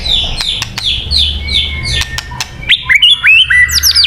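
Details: White-rumped shama singing for bird luring: a string of high down-slurred chips repeated about every quarter second, then a burst of loud rising and falling whistled phrases to the end.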